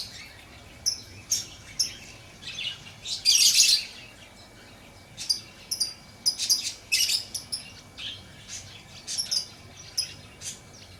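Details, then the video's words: Lovebird chirping with scattered sharp, thin high chirps, a loud grating squeal near the start, and clustered rapid chirps later, irregularly spaced. "Lovebird Chirping Sounds for Relaxation and Attraction - Lovebird Sounds"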